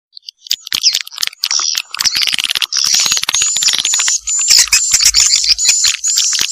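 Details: Swiftlet lure sound in the Vietnamese janda style: dense, fast chattering of high, buzzy chirps and twitters, with a thin whistled trill running through the second half and no other sounds.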